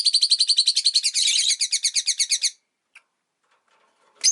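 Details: Caged rosy-faced lovebirds by a window, five birds in all, pour out a fast, steady train of buzzy chirps for over two seconds, two birds overlapping midway, then silence and a final squawk.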